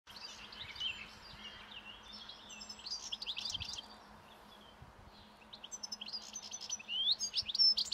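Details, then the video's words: A wild European goldfinch feeding on last year's thistle seeds by a roadside as spring nears, singing breeding song: a high, tinkling run of liquid twitters and buzzy trills in bursts, with a faint steady hum beneath. "European Goldfinch Song"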